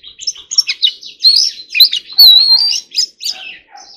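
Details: Training song of an Oriental magpie-robin: dense rapid warbling with chattering notes and a long sustained high whistle in the middle, loud and continuous for a few seconds.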